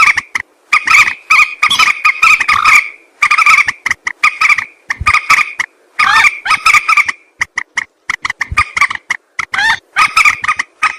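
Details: Common moorhen, locally jal morgi, calling as a hunting lure: a dense, loud run of harsh, cackling squawks and clucks in overlapping bursts, with brief pauses between bouts.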